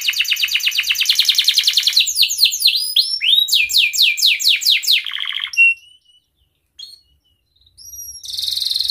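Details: Canary in breeding condition calling a rival, a lure for young canaries: a fast rattling trill gives way to loud descending swept chirps, a short trill, brief pure whistled notes after a pause, then a buzzy trill.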